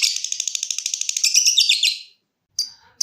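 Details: Lovebird giving a ngekek-style trill, a lure recording to set other lovebirds trilling: a fast, buzzy, pulsing trill lasting about two seconds that drops slightly at the end, followed by silence and two short high chirps.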